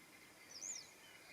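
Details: Western yellow wagtail (Motacilla flava) during its morning routine, recorded 21 June 2026: a single thin, high, slightly arched call, brief and sharp, over a faint steady background hiss.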